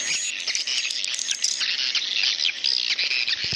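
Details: Swiftlet roosting call used to attract swiftlets: a dense, continuous chorus of high, sharp chittering chirps and twittering squeaks with no pauses.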